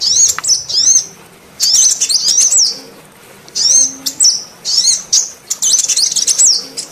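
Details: Lure calls of a female sunbird, meant to provoke silent males: bursts of thin, very high twittering notes with zigzag rising-and-falling chirps, separated by brief pauses of about a second.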